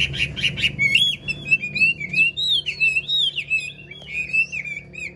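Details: Chinese hwamei, an old wild-caught bird held for sale and noted for a superb voice, pours out a rich, varied melody of liquid whistles and slurred notes with scattered sharp high ticks, after a few brief buzzy opening notes.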